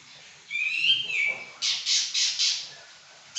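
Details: Pekin robin praised for vigorous 'gacor' singing: a rising, sliding whistle followed by four harsh, buzzy notes at an even pace, then the start of another note.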